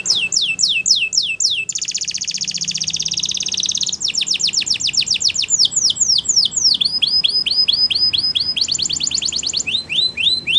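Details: Waterslager canary training song: repeated downward whistled sweeps, a long buzzy rolling trill, then fast runs of sharp slurred notes and a second short trill, changing tours every couple of seconds.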